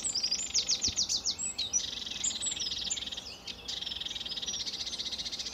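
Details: Sedge warbler singing on an early July 2013 morning at RSPB Fowlmere, opening with a loud series of descending whistled notes, then shifting into a long, buzzy, rattling trill.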